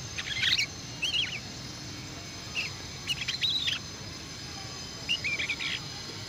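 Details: Young canary practising its song, bursts of high chirped and warbled phrases, some rising and falling, separated by pauses of about a second, with a faint steady background hiss.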